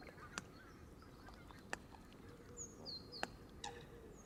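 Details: Close Canada geese feeding at the water's edge, camera in the grass among the flock: a few sharp, loud honks over a low hum, with thin, high chirps of small birds in between.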